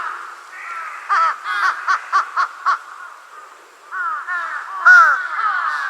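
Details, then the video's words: A young large-billed crow with its forehead feathers raised calls in a relaxed voice: hoarse nasal caws, first a quick run of five short notes, then longer arched calls with a slightly wavering tone. "幼鳥ハシブトガラス【嘴太鴉】の鳴き声 jungle crow"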